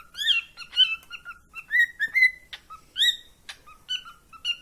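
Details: A cockatiel gives a rapid run of bright whistled chirps and short rising notes in the morning.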